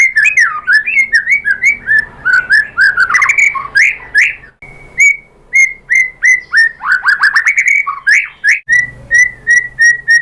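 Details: White-rumped shama in full song, played to prompt others to answer: fast, repeated, loud whistled notes in rhythmic runs, then a series of evenly spaced, clear whistles near the end.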